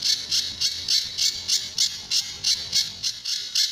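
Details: Sunda bush warbler song in the tembakan and besetan styles, used as a training master for other birds: a quick, regular train of piercing, high, rasping notes, over three a second.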